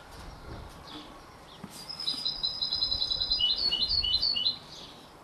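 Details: Young canary x European goldfinch hybrid, 33 days old, giving a rapid high twittering warble of short chirped notes for about two and a half seconds, preceded and followed by quiet background hiss.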